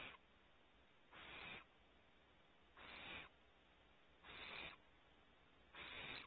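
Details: Barn owl owlets in a nest cavity at Starr Ranch, California, come forward, curious, and repeat a loud breathy screech-hiss about every one and a half seconds, five bursts in all against faint steady hum.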